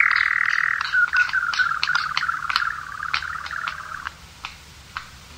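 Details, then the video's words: A paired male European nightjar's song type II with terminal phrase, captured by an unattended recorder: a steady mechanical churring trill dipping slightly in pitch after a second, fading at about four seconds, then a few sharp clicks. "Paired Male Nightjar Song"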